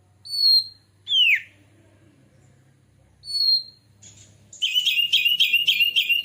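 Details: Oriental magpie-robin song, used as a lure to prompt birds to sing and spread the tail: high clear whistles and a sharply falling note, a pause, then a loud rapid series of buzzy chattering notes.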